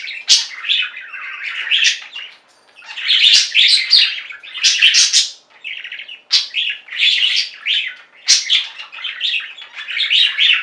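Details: Pet budgies singing and chirping together, repeated bursts of squeaky, scratchy warbling separated by short pauses, the group chatter rising and falling throughout.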